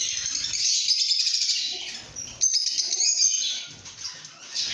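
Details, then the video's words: Lovebird singing: busy, piercing chirps and tweets packed into an unbroken high chatter, rising in a sharp burst near the middle before settling into quieter twittering. "Lovebird Singing & Chirping Sounds|লাভবার্ডের কিচিরমিচির শব্দ|love bird sound"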